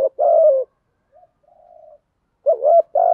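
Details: Decoy male spotted dove coos to spur other males to call: a long hoarse coo, a pause with faint low murmurs, then two more loud coos in quick succession, the first wavering in pitch.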